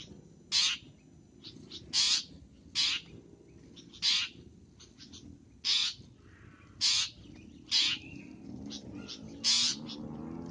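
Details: Lure sound of a long-tailed shrike: loud, grating scolding notes repeated irregularly every one to one and a half seconds, with faint chattering in between and steady low hum.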